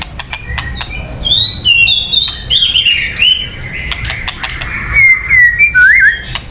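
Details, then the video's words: A white-rumped shama sings, recorded for luring birds: a long run of high, sweet warbled notes with a few sharp clicks, over soft background hum. "Suara Burung Murai Batu yang paling baik untuk pikat"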